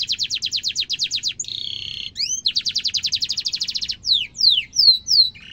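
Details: Canary with long 'ngeroll' rolls and ornate phrasing, used as a master recording to train young and adult canaries: quick repeated-note trills, a buzzy held phrase, another rapid roll, then separate looping whistled slurs.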